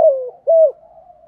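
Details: Decoy female spotted dove calling to stimulate males, 'thổ' style: the tail of a falling coo followed by one short, level, mellow coo and a faint lingering hum.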